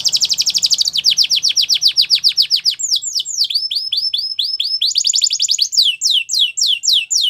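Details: Belgian canary training song made of rapid high trills: dense repeated downward sweeps, switching between faster and slower tours of curved whistled notes, clear and loud with little background noise.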